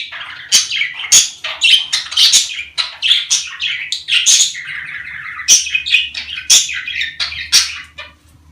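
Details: Pet budgerigars, breeding stimulation sound; dense, nonstop warbled chatter with twittering notes, scratchy squawks and sharp clicking accents, fading slightly at the end.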